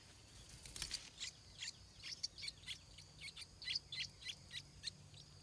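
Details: Stripe-throated bulbul chicks just before their first flight, giving a steady series of short, high, thin squeaky calls repeated roughly every third of a second, over a faint low hum.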